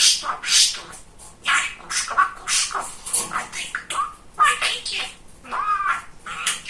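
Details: Chatty male budgerigar mimicking speech in a busy flow of rasping, warbled syllables with a few clear rising whistled notes near the end, indoors.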